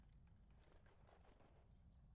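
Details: Crested tit in winter: a quick run of five very high, thin, sharp notes within about one second over a low background rumble.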